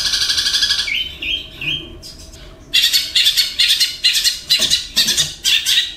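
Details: A long-tailed shrike imitating kingfisher, sparrow and lovebird calls. A scratchy chatter gives way to a few gliding whistled notes, then loud, harsh, buzzy bursts repeated roughly twice a second.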